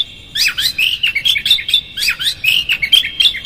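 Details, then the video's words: Continuous rapid warbling from an Oriental magpie-robin, used as a provoking lure; fast tumbling high whistles and chirps with slurred notes, nearly unbroken throughout. "PANCINGAN Kacer GACOR seketika Buka Ekor KONSLET bongkar ISIAN KASAR agar KACER emosi"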